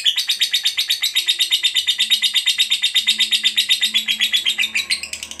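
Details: Lovebird ngekek panjang: a sustained fast chattering trill of bright, scratchy high pulses, very regular for five seconds before a short break and a few rough notes, with low humming tones underneath.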